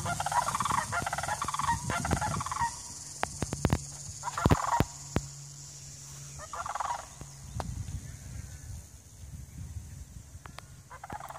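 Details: Two sandhill cranes taking flight in Cary, Illinois, on 8/9/2015 give rolling, gurgling bugle calls in several bursts over low rumbling noise and scattered sharp clicks.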